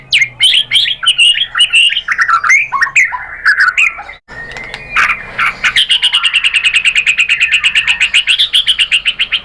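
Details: Murai batu, the white-rumped shama, singing a lure phrase to make other birds answer: rich varied whistles and warbles, a brief pause, then a long rapid chattering trill of even notes.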